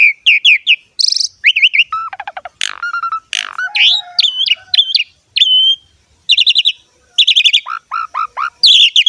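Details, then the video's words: Asian pied starling singing energetically, a lure and tutor for young starlings: varied whistles, rising and falling slurs, chattering trills and harsh bursts delivered in quick succession. "JALAK SUREN GACOR ‼️ MASTERAN DAN PANCINGAN BURUNG JALAK"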